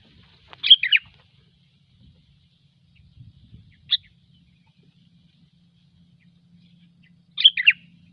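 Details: Gecor-style song of a sooty-headed bulbul, a lure sound. Three sparse bursts of quick, liquid chirps, including one brief single note, separated by long silent gaps over a soft low hum.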